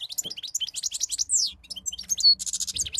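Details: Brief European goldfinch song, a dense stream of quick high twitters, a clear rising-falling whistle and a short buzzy trill at the end.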